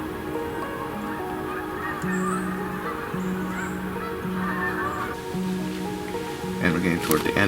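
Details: Canada geese honking in the distance near a small stream in a swampy woodland at Middle Creek Wildlife Management Area, Pennsylvania: low nasal honks about once a second, with background music throughout.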